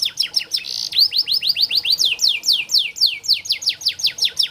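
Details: Canary song played as a training and therapy recording for canaries that are reluctant to sing. Rapid, bright, repeated down-slurred whistled notes, about four to five per second, with a brief buzzy note near the start and a continuous rolling rhythm.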